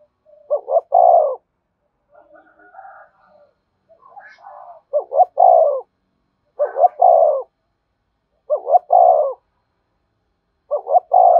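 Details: Spotted dove cooing to lure wild doves to come quickly. Five near-identical phrases, each a short double note and a drawn-out coo, repeated roughly every two seconds, with faint distant calls early on.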